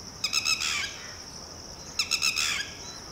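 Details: Red-wattled Lapwing, or titehri, parent warning its just-hatched chick to run and hide: two bursts of loud, sharp, ringing notes that run together into rapid strings, with a constant high insect drone behind.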